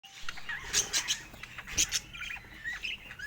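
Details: Pet budgerigars chirping softly: quiet, scattered high twittering notes with a few brief louder bursts of chatter.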